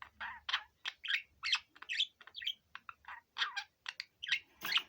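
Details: Pet budgerigar, a five-year-old male, sings a dense nonstop chatter of scratchy, squeaky and buzzy syllables, each note short and shifting in pitch, with hardly a pause.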